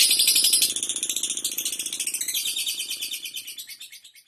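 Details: Lovebird giving a fast rattling chatter of high, buzzy pulses, about four per second, loud at first and gradually fading away over four seconds.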